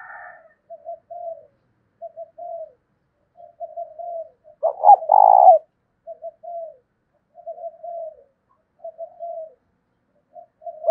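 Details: Spotted dove used as a decoy, cooing in the deep 'thổ' voice style to provoke other doves. Soft, low, mid-pitched coo phrases repeat about every second, with one loud, burry two-part coo midway, all against silence.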